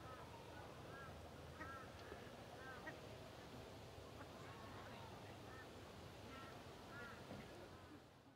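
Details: Male Australian wood duck, recorded 10 July 2011, gives short, nasal, arched calls every second or so, over a steady rumbling background with possible faint voices.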